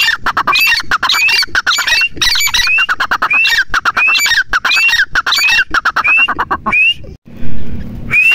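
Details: Grey francolin gives loud, harsh, rhythmic calls, each ending in a rising shrill whistle, repeated about every second; a low hum shows near the end.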